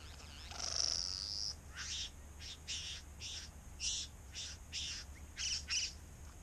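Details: Male Satin Bowerbird calling at his decorated bower in eastern Australia during courtship, filmed covertly from the bushes: a long whistled note, then a run of short buzzy, crackling bursts roughly every half second, over a low steady hum.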